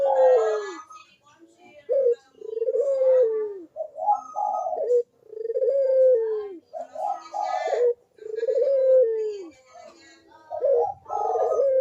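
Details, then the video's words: Barbary dove cooing steadily, a lure for doves that rarely call: low rolling coos, each sliding downward, repeated roughly every three seconds in a fairly even rhythm across the recording. "KUK DERUK BURUNG PUTER GACOR MANGGUNG ‼️PANCINGAN AMPUH UNTUK BURUNG PUTER YG MALAS BUNYI"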